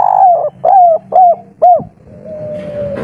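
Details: Spotted dove of local stock in the 'kuk 3' song style: four clear, arched coos about half a second apart, hollow and mellow, then a thin steady tone and faint background rumble.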